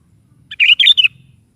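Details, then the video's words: Morning song of a sooty-headed bulbul, played to draw a reply from a kept bird: one quick, liquid, chattering phrase of several fluty notes, over a faint low hum. "SUARA BURUNG KUTILANG GACOR DI PAGI HARI"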